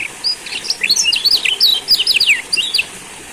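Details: High, rapid twittering song of a Lombok yellow white-eye, used as a lure recording to restart birds that have stopped singing: quick sharp slurred notes tumbling in a continuous jumbled phrase with a short gap near the end.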